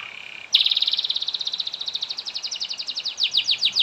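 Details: Canary in full song, played to get other canaries singing: a brief steady tone, then a fast rolling trill of repeated notes, roughly four per second, which turns into quicker downward-slurred chips near the end.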